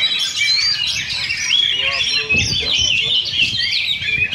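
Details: Oriental magpie-robins sing in a Sunday practice contest in Sindanglaut. Clear whistled notes are interwoven with rapid chattering and buzzy phrases in a nonstop stream, while spectators' voices and knocks sound in the background.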